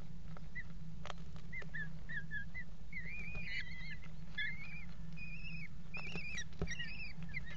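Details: Eurasian kestrels at a water-tower nest box on 5 February 2018, mating on its edge; short chirps early on build into a long series of quavering, harmonically rich whining calls over constant low electrical hum.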